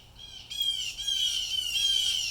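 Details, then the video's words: One of at least three blue jays calling in distress: a long, continuous, rasping squawk holding an even pitch, slightly swelling in loudness over two seconds. "BLUE JAY BIRDS CALLING MAKING SOUNDS LIKE DISTRESS"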